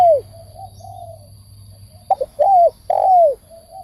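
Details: A spotted dove gives soft low murmurs, then a burst of short notes and a long, smooth coo that falls at the end. A low steady hum sits beneath.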